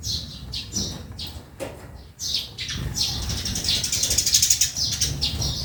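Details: Sparrows in a backyard: bright, short chirps come in quick, irregular bursts, several overlapping, with steady low background rumble.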